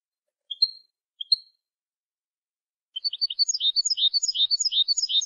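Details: European goldfinch, recorded for tutoring young goldfinches: two short paired chirps, a pause, then a fast tumbling twitter of bright, varied notes running for over two seconds. Quiet background.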